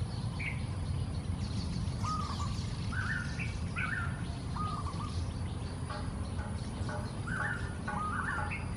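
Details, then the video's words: Wild Golden-backed weavers, a busy flock, calling raucously while building nests in trees standing in a pond in Singapore in the early morning. Short, slurred chirps, some with a bent or rising shape, come in scattered bursts over a steady low rumble. "Nest Building by Wild GOLDEN-BACKED WEAVERS"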